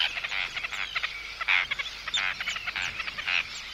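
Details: Arctic terns at close range calling in anxiety and threat toward an intruder, chicks also calling: a dense, continuous chatter of grating, nasal notes with short shrill upslurs mixed in.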